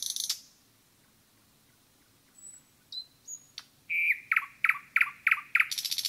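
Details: Forest nightingale song opening with a short burst, a pause, then thin high whistles and a loud note series that accelerates into a buzzing rattle.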